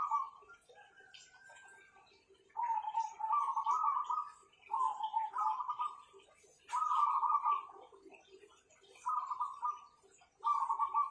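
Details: Several owned zebra doves sing strong, vibrating cooing phrases. Each burst is a quick purring trill, repeated about every two seconds with short silent gaps. Light clicks and indoor noise sit in the background.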